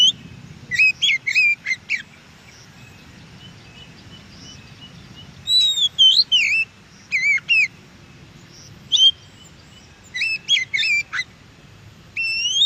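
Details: Oriental magpie-robin singing in its natural habitat, a wild recording played to make captive birds reply; spaced bursts of sweet whistled and twisting notes separated by silences of a few seconds.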